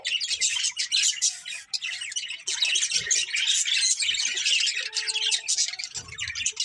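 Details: Continuous budgerigar chatter from a family flock: rapid, raspy, high-pitched chirps and warbles tumble over each other without a break, with a few faint low knocks in the background.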